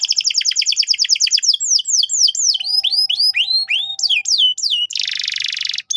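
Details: Canary song aimed at teaching young canaries: a very fast chatter of repeated notes slowing into long falling whistled sweeps, then a dense buzzy roll and a short pause.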